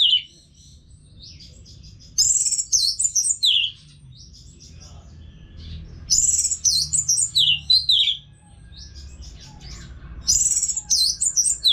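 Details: Three similar bursts of rich, high-pitched warbling from an orange-headed thrush, each about two seconds of rapid tumbling whistles with silent gaps between, played as bird therapy sound to get caged birds singing.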